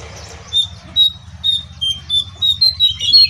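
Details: Jongkangan singing vigorously while perched on top of its cage: a string of short, high, clear chirps, each a brief whistled note, repeated about every half second and quickening toward the end, over a faint low hum.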